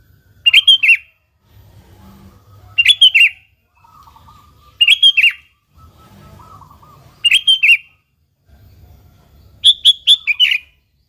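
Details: A sooty-headed bulbul sings in a lively, persistent way, used as a lure to get other bulbuls singing. A short bubbly phrase of three or four clear notes repeats about every two and a half seconds over a low background hum.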